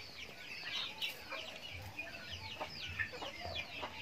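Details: Chickens eating feed on a backyard farm during their daily routine: many high, thin peeps and downslurred chirps overlap constantly, with a faint low background hum.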